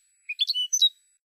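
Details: European goldfinch recorded for a Spanish song CD: one brief, bright phrase of a low buzzy note, then quick tinkling chirps and a thin, drawn-out slur, ending with a sharp high note.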